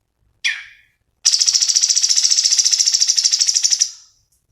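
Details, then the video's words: Black-headed bulbul, locally cucak cungkok, in a bird-training recording: one sharp, falling chirp, then a long, intense, buzzy trill of rapid even pulses lasting nearly three seconds before it fades. "MASTERAN SUARA BURUNG CUNGKOK GACOR"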